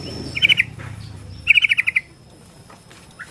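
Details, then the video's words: Borneo white-rumped shama song used to stir shamas into singing and fighting: two quick bursts of sharp, even chattering notes, the second a rapid series of about seven, with quiet gaps between. "KICAU BORNEO AMPUH BIKIN MURAI STRES SUSAH BUNYI AUTO FIGHTER NYAUT"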